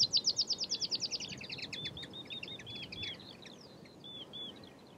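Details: Meadow pipit (Anthus p. pratensis) at Uitkerkse Polder, Belgium, April 2019, gives a quick run of thin, high, loud notes, about ten a second, breaking into fainter twittering trills over low background hiss.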